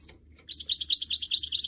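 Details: Goldfinch mule, a canary crossed with a goldfinch, kept for singing, breaks into a fast, high, chattering trill of tightly packed notes after a brief near-silent lead-in.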